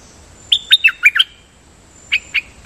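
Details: Dok Taeng bird in captivity, singing decoy song with repeated doubling: five fast bright falling chirps, a short pause, then three more evenly spaced notes.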